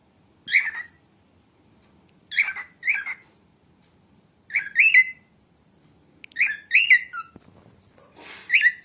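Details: Female cockatiel, recorded for training cockatiels, calls in short warbling chirps. The two-note bursts recur roughly every two seconds against a quiet background.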